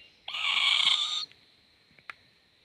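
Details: Baby owl, seen swaying, lets out a single loud, harsh, hissing screech lasting about one second, followed by quiet taps and a faint click.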